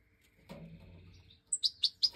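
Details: A Major goldfinch hen in an aviary feeding five fledged chicks that left the nest, 2024 breeding: a soft low rustle, then four piercing high chirps in rapid succession, each dropping slightly in pitch.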